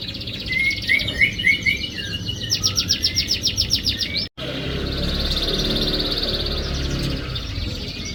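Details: Canary song played to lure a silent canary into singing: fast repeated chirps and rolling trills. The song breaks off abruptly, then resumes as a steady high buzzy trill over low background rumble.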